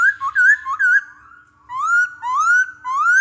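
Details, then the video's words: Masked laughingthrush training lure: three quick rolling whistled phrases, a pause, then slow rising whistles that slide upward, each repeated about every half second. "Pancingan Poksay Hongkong"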